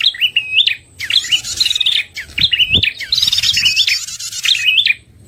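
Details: High, sharply bending chirps and thick buzzy trills from a red-headed prinia, played as a lure for trapping, with a couple of faint clicks.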